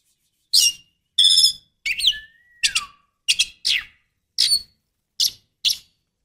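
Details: Female Oriental magpie-robin calling to lure a male: nine short, separate bursts spaced about a second apart, mostly high harsh rasps and chirps, one with a long, slowly falling whistled tail. Otherwise quiet.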